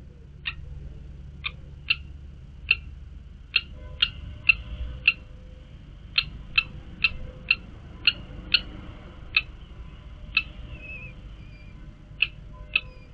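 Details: Common kestrel chicks of a second brood, recorded 29 July 2022, waiting as the mother brings food and feeds them, give sharp, high, clipped begging calls, roughly two per second and irregular, with a few thinner drawn-out notes, over a low background hum.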